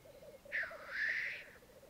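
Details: Black grouse lek on a bog in Mykland, May 2022 morning, twelve males and two females: pulsed bubbling notes around a single long, loud hissing sneeze lasting about a second.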